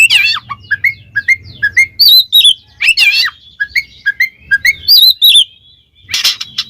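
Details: Oriental magpie-robin (Kacer) singing ngeplong style to call a rival: a series of short clear whistled notes repeated at steady intervals, mixed with a few louder buzzy phrases and a faint low hum.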